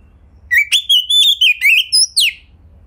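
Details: Oriental magpie-robin kept at home, singing a gacor lure phrase to provoke other magpie-robins: a string of about eight clear, warbling whistled notes that dip and rise, ending on a sharp falling note.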